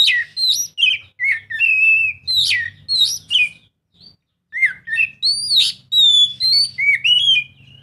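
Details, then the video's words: Oriental magpie-robin singing to prompt a reluctant bird to sing: a continuous run of rich, varied whistles, slurred and fluting, with a brief pause midway before the phrases resume strongly. A low hum sits underneath. "Kacer mana yang gak lasung bunyi dengar suara kacer ini"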